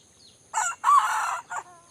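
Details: Junglefowl from Aceh, at Indrapuri: a short broken crow of three harsh, hoarse bursts, a brief opening note, a longer drawn middle phrase and a clipped final note, over quiet background.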